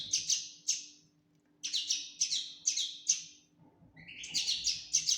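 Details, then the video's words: Fledgling common linnet calling in short runs of clear, high, slightly descending chirps, a pause of about half a second between runs, then a quicker burst at the end. "فرخ حسون تفاحي Linotte melodieuse"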